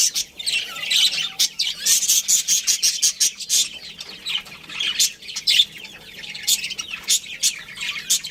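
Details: A breeding pair of budgerigars in a colony, chattering in fast rhythmic chirps and ticking notes, densest early on, then sparser sharp calls.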